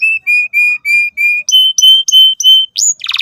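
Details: A canary performs a lure song for young canaries learning to sing, with steady flat whistled notes roughly every third of a second, then higher upslurred notes, a sharp rising sweep and a closing buzzy rattle.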